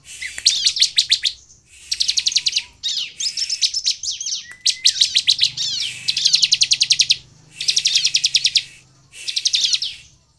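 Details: Bar-winged Prinia (ciblek) in energetic lure song: about seven bursts of fast, even, buzzy pulses, each lasting roughly a second, separated by short silences, with one faint rising whistle.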